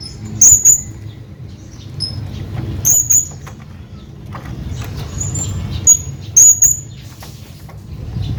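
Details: A hanging parrot calls his friend, sending out piercing high squeaks in paired bursts three times, with faint thin whistles between, against a soft low rumble.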